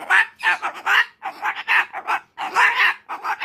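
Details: An umbrella cockatoo in the middle of a tantrum pours out strings of hoarse, rough screeches in three quick groups.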